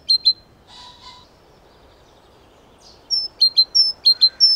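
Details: Great tit in a garden giving repeated high two-note phrases, a brief buzzy sound early on, then a run of sharp alternating notes at the end over light background noise.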